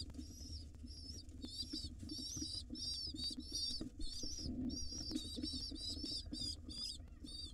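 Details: Wild pigeon nestlings beg while their mother feeds them in a monitored nest box: a steady, rapid stream of thin, high, squeaky wavering notes, about two per second, over a low rumbling background.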